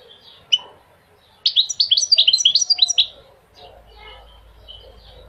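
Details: Goldfinch singing a brisk burst of sweet, tumbling twitters lasting about a second and a half, preceded by one sharp chirp and followed by faint scattered notes.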